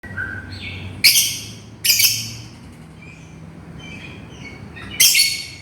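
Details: Lovebird calling to its companion: three loud, harsh, broadband shrieks spaced about one to three seconds apart, with softer chirps and short whistles between them over a faint low hum.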